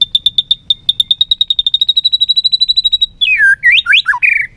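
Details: White-rumped shama in competitive song while flicking its tail: a fast, even series of high piping notes for about three seconds, then loud swooping and falling whistles.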